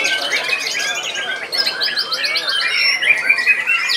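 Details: Murai batu at a singing competition, its first contest, which it won; fast repeated whistled and chattering phrases, about two to three per second, amid overlapping songs of other contest birds.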